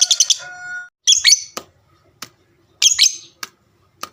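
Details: Pet lovebird of the fighter type, calling to get other lovebirds to answer: bursts of rapid harsh squeaky chirps separated by silent gaps, with a few sharp clicks.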